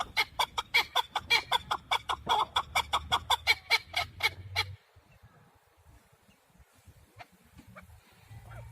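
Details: Rapid series of rasping chuk-chuk notes from a male chukar partridge, a recording meant for hunting. The notes repeat briskly for almost five seconds, then give way to low background rumble and a few scattered faint notes.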